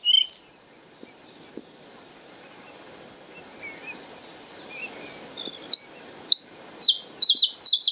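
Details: White-spotted bluethroat (cyanecula) at Kølsen-Skals Engsø, 10 April 2020: subdued scattered twitters, then loud, clear, high metallic notes repeated in quick bursts, each a sharp ringing phrase, against faint outdoor ambience.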